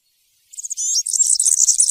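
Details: Cante campero of a European serin, used to teach young birds: a sudden start of rapid, very high, sizzling and jingling notes that continue to the end.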